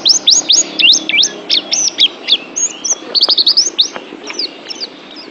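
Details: Oriental white-eye singing for pet-bird mental therapy: quick high upslurred and dipping whistles in a fast chattering stream, with short pauses and a steady low hum beneath.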